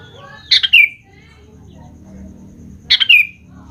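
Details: Sooty-headed bulbul, used as a lure to make young birds respond and sing: two short bright bursts about two and a half seconds apart, each a quick cluster of notes sliding down into a clear whistled tail.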